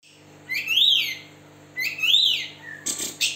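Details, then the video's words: White-rumped shama spreading its tail, used as a lure to get other birds singing: two loud, clear whistled phrases rising then falling, followed by short harsh buzzy notes. "Kacer Jabar Buka Ekor, Cocok Buat Pancingan Burung Macet"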